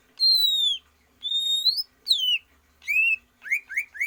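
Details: Greater green leafbird, trained for longer breath without free-flight exercise, gives long, pure, loud whistles. Some fall slowly and others rise, and the phrase ends with three short upslurred notes.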